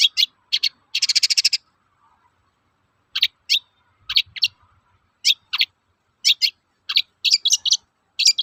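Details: Long-tailed shrike toet-toet calls used to prompt shrikes to sing: a fast rattling burst early, then sharp doubled and tripled harsh notes spaced irregularly, with a faint low thump midway.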